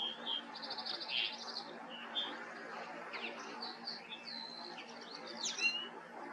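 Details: Common linnet, a small finch, singing outdoors: quick twittering chirps and short buzzy trills, high and scattered, rising and falling over a steady low background hum.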